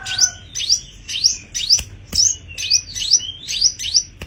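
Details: Tame caged sogon singing steadily: a series of sharp upward-sweeping whistles, about two per second, evenly spaced, with a couple of loud clicks in between.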